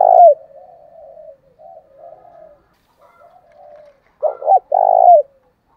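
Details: Spotted dove cooing, thổ voice with fighting-style urging, intended to set lazy wild-caught doves cooing. One loud coo starts, soft muttering coos follow in broken bursts, then a strong stuttered double coo and a long loud note finish.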